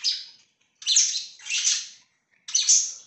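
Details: Pet budgerigar chatter: three loud, scratchy warbling bursts, each about half a second to a second long, separated by short silences.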